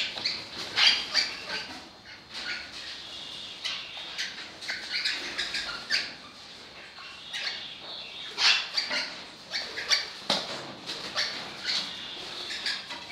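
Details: Parakeets of an orange-blue fallow pennant colour variety: dense, continuous scratchy chatter with sharp squeaky chirps and harsh bursts overlapping throughout, loudest in clusters near the start and around the middle.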